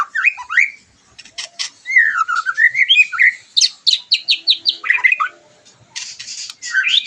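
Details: White-rumped shama song meant to boost emotion and mating drive after moulting: swooping whistles and clicks, then a run of about eight quick repeated notes, ending in a rising whistle.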